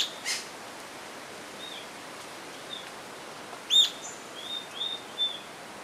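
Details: Rufous-tailed jacamar with a loud sharp high note followed by a few softer slurred whistles, plus faint distant chips against a quiet background.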